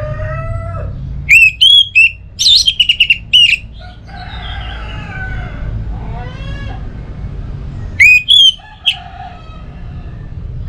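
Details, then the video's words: Lure recording of orange-headed thrush song meant to get a home-kept bird singing. It has runs of loud, sharp, high whistles and chirps, falling slurred harmonic calls in the middle, and another burst of whistles near the end. "ANIS Merah Dirumah Pasti Bunyi Dengar Pancingan Kicauan Burung ini"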